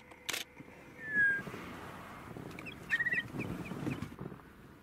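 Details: A Brown-hooded Kingfisher in South Africa gives a thin falling whistle, then a quick stuttering burst of high, piping notes. A sharp camera-shutter click sounds near the start.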